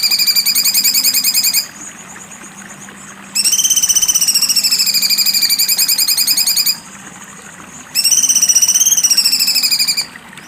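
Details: Sharp 'besetan' song of a cucak cungkok, three bursts of fast, harsh, pulsing trill in a high register, the middle one longest at over three seconds, with quiet hiss between bursts.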